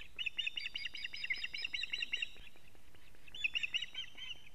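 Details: At a nest in Latvia filmed by a live camera on 19 July 2017 at 19:43, an osprey gives rapid high piping alarm notes in two bursts separated by a short pause, while the male arrives with a living fish.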